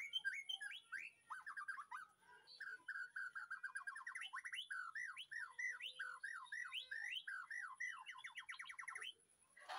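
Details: White-rumped shama in a backyard aviary at afternoon feeding, master song: long rapid sequence of repeated hooked whistles and chattering notes, fast and rhythmic, lasting about nine seconds.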